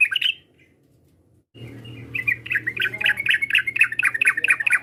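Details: Sooty-headed bulbul call used to provoke a rival into answering: a short bubbly phrase, a pause with low background hum, then a long run of rapid, jumbled chirping notes.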